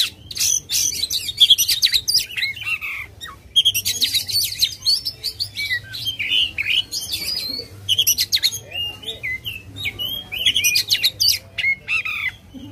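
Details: Oriental magpie-robin in aggressive tail-spreading display, singing long runs of dense chattering and varied whistled notes in repeated bursts a few seconds long, separated by brief lulls.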